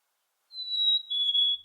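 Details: A Black-capped Chickadee gives its clear, whistled fee-bee ('cheeseburger') song, lasting about a second: a high pure note, then a slightly lower one with a tiny volume break in it. No other sounds are heard.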